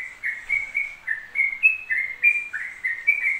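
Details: Yellow-vented bulbul pouring out ropel song without pause: smooth whistled notes gliding between two or three pitch levels, slightly softer, with a faint high hiss behind.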